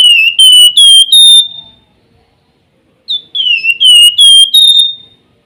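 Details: Flamboyan whistling persistently, fluting phrases made of a downslurred opening and four or five bright, level whistled notes, one phrase ending, a pause, then another beginning.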